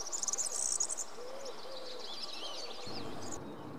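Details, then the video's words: European serin singing: a very high, rapid, buzzy jingling song of twisting notes, with a soft low hooting call underneath. "Verdecillo (Serinus serinus) cantando"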